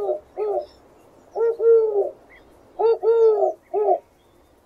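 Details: Soft rhythmic dove cooing: a closing note, then two further phrases each built from a short coo, a long drawn coo and a short tail note, over a faint background hiss.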